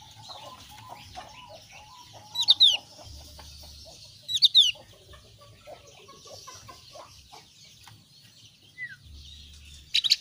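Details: Javan grey-throated white-eye of the thin-browed form, with two short bursts of sharp, high, slurred chirps about two seconds apart over a low background hum and scattered faint clicks.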